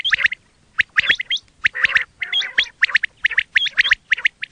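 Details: Quail sound meant for hunting, made of quick bursts of harsh chattering notes mixed with short high whistles, repeated in clusters about every half second.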